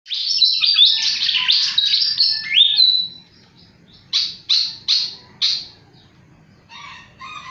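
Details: Flycatcher singing very actively: a rapid jumble of high, sharp descending notes and trills runs for about three seconds, then four separate loud downslurred notes, then softer twittering.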